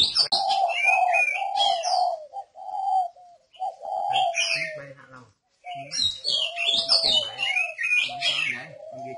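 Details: Spotted dove from northern Vietnam, a decoy perch bird, cooing in low, even, hollow phrases with brief pauses, mixed with busy high chirping and twittering from other small birds.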